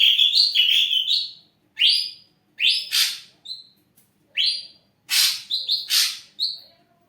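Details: Caged ashy drongo singing lustily as a lure for other birds: a quick run of looping whistled notes, then separated upswept whistles, short pure notes and two loud grating rasps.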